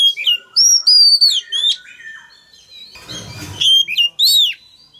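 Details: Male Oriental magpie-robin singing to encourage a young bird to sing along: bright whistled notes sliding up and down, clipped chirps, and a brief rustling noise midway before the song resumes.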